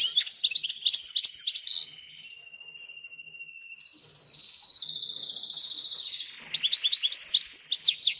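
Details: Singing goldfinch-canary hybrid, caged and adapted two or three days after arrival: fast trilled notes, a long thin steady whistle, a buzzy sustained trill, then quick repeated notes again.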